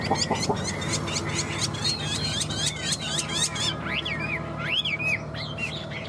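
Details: A yellow-billed, yellow-legged Chinese hwamei kept in a cage for more than two years delivers fast repeated clipped notes, then breaks into looping whistled phrases that bounce up and down in pitch.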